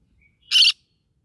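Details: A green-cheeked conure from a rice-field setting lets out one loud, rasping squawk, brief and noisy, with near silence before and after.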